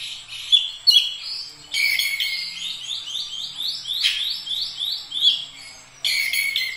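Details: Vigorous Oriental magpie-robin song with repeated rising whistled sweeps in quick succession, broken by sharp bright notes and short pauses, ending in a loud renewed burst.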